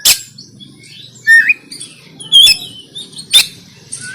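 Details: Oriental magpie-robin fighting song, kacer konslet tarung, from Banten on an Android phone and used to train birds: scattered short whistled slurs and sharp clicking bursts about once a second, over faint low background hum.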